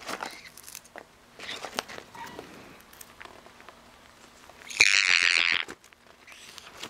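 A sun conure gives one loud, harsh, grating screech lasting just under a second, set against soft crinkling and crackling noises indoors.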